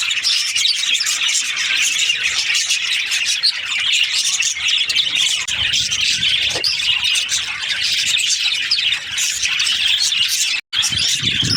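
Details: Breeding-season budgerigars keep up a constant high-pitched twittering and squawking chorus, many birds calling together, with a brief dropout near the end.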